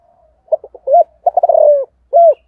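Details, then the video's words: Clear close cooing of a Spotted dove in the 'thổ' style, morning, calling wild doves: a few short pulses, a rounded coo, a quick rattling roll sliding lower, then a last arched coo. "cu gay giong tho cuc dinh gáy gọi bổi buổi sáng"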